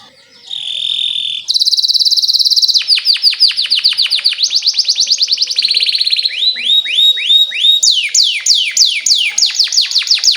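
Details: Canary song meant to teach young canaries, opening with buzzy sustained trills, then long runs of rapid downward-sweeping chirps changing pitch from phrase to phrase.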